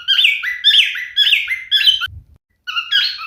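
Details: Male cockatiel parrot sings a run of four rasping, downslurred whistles in quick succession, then a faint low thump, a brief pause and two more whistled notes.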